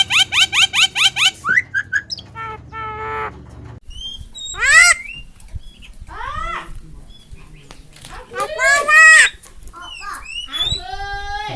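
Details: Javan myna training song for teaching a talking bird: a run of sharp rising chirps, then a varied sequence of loud upslurred whistles, squeaks and harsh rasping notes with pauses between phrases.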